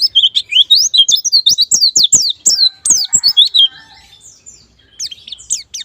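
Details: White-eye lure song meant to make birds quickly sing in the ngalas and nembak styles: rapid, high, twittering warble of sweeping slurred notes in dense bursts, with soft clicking beneath, then a short quieter pause before the warbling resumes.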